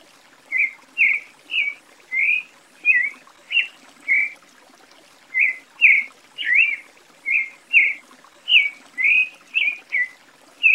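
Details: A Creamy-bellied Thrush (Turdus amaurochalinus, sabiá-poca), a popular Brazilian bird, sings short, slurred, mid-high notes about two a second in loose runs, with a brief pause midway over faint hiss.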